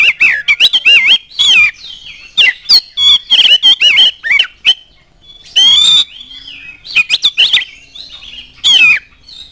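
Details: Oriental magpie-robin in full, energetic lure song meant to provoke other magpie-robins into singing: rapid bursts of rich, looping whistles and harsh buzzy notes in clusters, a pause near six seconds, then a long slurred whistled phrase.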